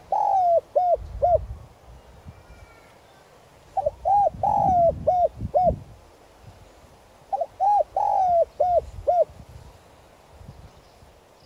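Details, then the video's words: Calling coo of a decoy spotted dove in the 'giọng son' voice, meant to provoke wild doves to respond. Three similar phrases about four seconds apart, each a few short hooting notes, a longer sliding coo, then two quick coos. "Cu gáy mồi chuẩn Gáy Gọi + thúc giọng son kích bổi nhanh nổi"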